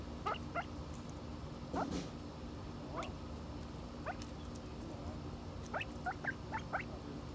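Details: Silver pheasants in the United States give short, squeaky clucking notes in loose clusters of two or three, spread over several seconds, over a steady low hum.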